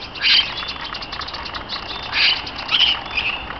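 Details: Parakeets of several kinds kept together in an aviary in Berlin's Neues Kranzler Eck. Scratchy, squawking chatter rises and falls in short bursts against a constant low hum.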